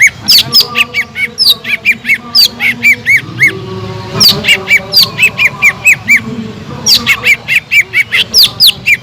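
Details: Sumatran leafbird singing to provoke and arouse other birds: repeated phrases of sharp high chips followed by arched whistled notes, three phrases in quick succession.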